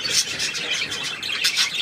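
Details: Budgerigars in a holding group, among them yellow birds and one coffee-coloured bird, produce a dense wash of sharp chirps and high squeaky warbling.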